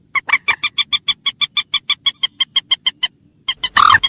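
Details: Common moorhen calling in a fast, even run of about twenty clipped, nasal kek notes, roughly eight per second, then a short pause and a louder, harsher squawk at the end.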